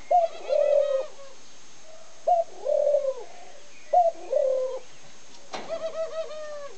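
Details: A male ringneck dove, cooing faster and more rollingly than others, gives quick, rolling two-part coos: three phrases about two seconds apart, ending with a click and a softer coo.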